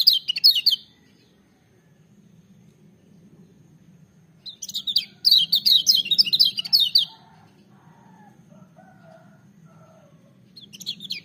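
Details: Lemon-bellied white-eye, known locally as kecial kuning, singing a loud, ringing full-power song: two bursts of rapid, high twittering notes, one at the start and a longer one midway, separated by quiet, with a low hum underneath.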